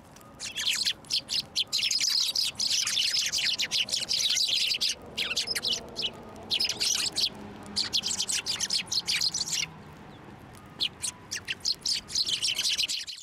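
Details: Sparrows flying onto a hand to be fed at a Tenmangu shrine, 21 December 2023: a dense flock chorus of sharp, high chirps, bursts of overlapping tweets with brief quiet gaps.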